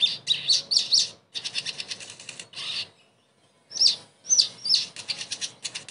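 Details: Sogon, or crested jay, playback for a silent bird so it becomes talkative again; rasping, rapid chatter mixed with brief bright whistled notes, broken by a clear pause midway.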